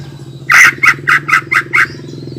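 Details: Lure song of a greater green leafbird, used to provoke other leafbirds: six harsh, scratchy notes delivered in quick succession after a brief quiet start, with a constant low hum underneath.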